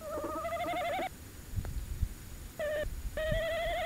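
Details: Tawny owl briefly visiting at De Mortel on the night of 27 January 2021, live camera: several tremulous, vibrato hoots with short gaps between them, and a soft low rumble beneath.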